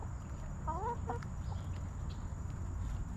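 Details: Backyard chickens relaxing in a coop; one hen gives a short wavering harmonic cluck followed by a brief second note, then quiet low rumble and faint clicks.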